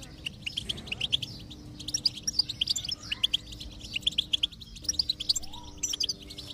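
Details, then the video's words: Goldfinch song used to stimulate a silent goldfinch into singing: rather faint, high twittering notes in quick irregular bursts, over a steady low droning musical tone. "is Your Goldfinch Silent? Give it this stimulation and see the difference"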